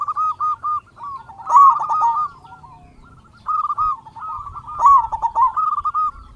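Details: Loud-voiced local zebra dove, played to provoke other doves into calling: two rolling phrases of rapid, throaty coo notes, each swelling to a stronger trill, with a quiet gap between them.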